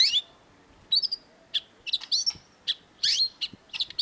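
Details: Long-tailed shrike (cendet) singing loudly, a master recording for training cage birds: sharp, high chirps and short slurred whistles in irregular bursts of about one per second, with quiet gaps between them.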